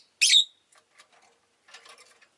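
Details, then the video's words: Rosy-faced lovebirds kept as pets: one loud, buzzy, shrill chirp at the start, followed by faint taps and soft rustling. "この日はみんな割とよく鳴いてました【Lovebird Chirping Sounds"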